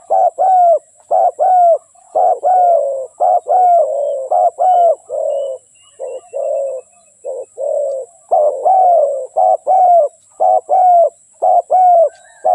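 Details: Trapping decoy spotted dove cooing continuously: a long rhythmic series of short and drawn-out low hooting notes, nearly one per second, with a brief softer, muffled stretch in the middle.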